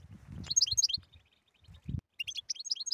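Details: European goldfinch singing: bursts of rapid, high, tinkling twitters, broken by a short quiet gap and then resuming, with low dull thumps underneath.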